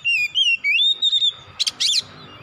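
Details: Oriental magpie-robin, a kacer, singing in a therapy track intended to excite it into song: loud sliding whistled notes followed by two harsh, broadband rasps.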